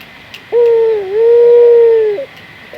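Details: Local puter dove, a domestic dove used as a lure to get other doves calling: one long, smooth, steady low coo lasting nearly two seconds, with a slight dip in the middle, over faint background hiss.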